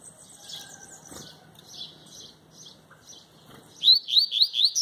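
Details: A male double-collared seedeater sings in tui-tui style with no female present. He gives high twittering phrases, then a run of loud, quick, rising slurred whistles. His owner speaks encouragement nearby.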